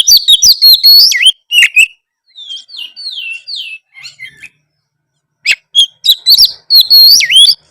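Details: White-rumped shama singing to provoke a response from other shamas: loud rapid clicks and whistles, a run of soft descending slurred whistles, then renewed loud whistled phrases.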